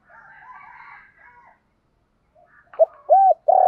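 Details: Spotted dove lure call used to draw in wild doves. A soft, hazy murmur at first, then after a pause, loud, low, arched coos begin near the end.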